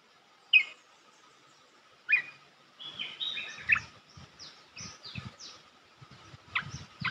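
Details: A Red-whiskered bulbul sings a song for teaching young birds. Sharp chips and a varied phrase of whistles and high downslurred notes sit over low background rumbling.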